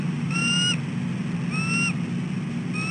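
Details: A female bald eagle on her nest before sunrise, wanting her mate to relieve her on the eggs, gives repeated clear rising whistles about once every second and a half above a low background hum.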